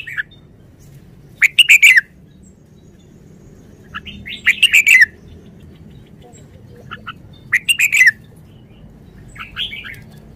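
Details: Caged red-whiskered bulbul giving short, bright, chattering song phrases about every three seconds, rich and warbled, over a low steady background hum.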